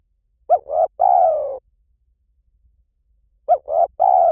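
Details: Spotted dove, Hliw Tan calling style, used as a lure for training. Two short notes lead into a long, even coo. After a pause of about two seconds the same opening pair starts again and is cut off at the end.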